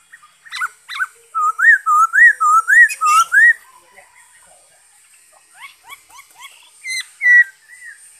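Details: Black-throated laughingthrush, 5 May 2021, sings a rhythmic series of about eight rising, looping whistles, each roughly a third of a second apart. Quieter, sharper notes and a final slurred double whistle follow.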